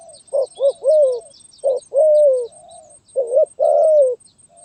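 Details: Spotted dove singing in the 'gagap tindan (sepatah)' stutter style, 23 January 2022: doubled stammering coos before long falling coos, phrases repeated twice, with other birds twittering high and a faint continuous whine.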